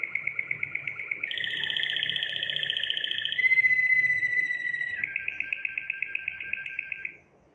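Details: Belgian Waterslager canary, a breed kept for its song, used to train singing. It gives a continuous series of clear whistled tours: rapid pulsed trills, a sustained pure whistle, then a fast rolling trill, repeated about four times a second.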